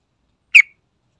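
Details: Sooty-headed bulbul lure recording: a single short bright note, sharply falling then trailing off, clean background.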